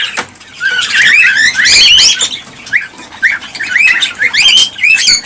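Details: Cockatiels calling, a recording aimed at prompting mating and breeding. Busy overlapping chirps and upslurred whistles form a dense burst, then spaced rising notes follow.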